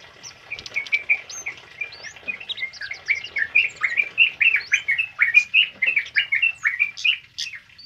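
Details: Tame male kemade singing a loud, lively, rapid run of varied chirps and short whistled notes, bursts coming roughly every quarter second and building in intensity, with a few higher thin notes mixed in.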